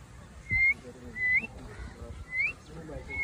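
A grey parrot gives four clear, rising whistles about a second apart, each a short upward slur ending with a flick, over faint low background noise.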